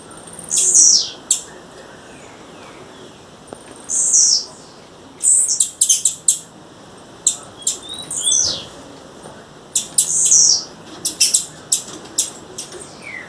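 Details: A female blue-black grassquit calling in the wild with scattered high ticks, short buzzy rasps and clusters of rapid sharp chips spread irregularly over the recording, against a constant soft hiss.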